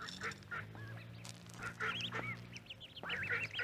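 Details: Ducklings on a pond peeping in shrill, wavering notes that rise and fall, mixed with a few hoarse duck quacks over a constant low hum.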